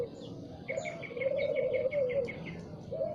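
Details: Spotted dove singing in the morning: low, soft drawn-out coos, one long hoarse note followed by shorter ones, with a rapid series of high chirps from another bird running above.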